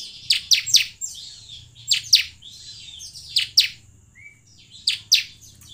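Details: Bar-winged prinia song used as a lure to get prinias singing: bright, high chirps in quick clusters of two or three, bursts about every second, over a faint low hum.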